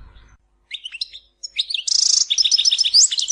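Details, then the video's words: Goldfinch singing in Tizi Ouzou, starting with a few scattered chirps, then a dense run of fast liquid twitters and a buzzy, harsh trill, ending in high sweeping notes. "Chant chardonneret tizi ouzou تغريد حسون تيزي وزو"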